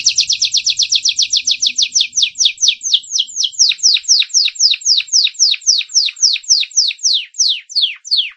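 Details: Belgian canary, labelled a Gloster canary, 2018, sings a long rapid trill of high downslurred notes, starting very fast and slowing to about four per second.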